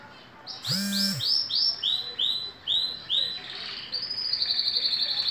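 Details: Green canary, two years old, singing while in moult: a series of repeated bright rolling notes at a steady pace, shifting into a higher rapid trill, over a hissy background with one brief low electronic-like tone.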